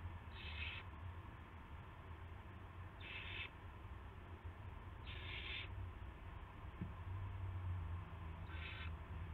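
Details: Owl at a nest before dawn on 9 March 2016, around 5:20 AM, as an adult brings a rat to the nest: four harsh, hissing screech bursts roughly every two to three seconds over steady low background hum.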